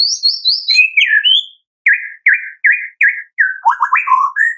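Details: White-rumped shama singing in the evening, a tembakan burst used to lure another shama into song: high slurred whistles, then a run of short buzzy repeated notes and lower warbling phrases.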